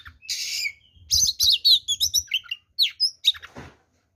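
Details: Oriental magpie-robin fighting song meant to goad rivals: a harsh buzzy burst, then a run of loud, quick whistled and chirped notes, ending in a rasp and silence, with low knocking beneath.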